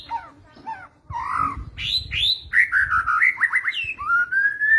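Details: Kretetan song of a white-rumped shama, used as a training recording to provoke other birds: a string of varied whistled phrases, upward slurs and quick rising notes ending in a long level whistle.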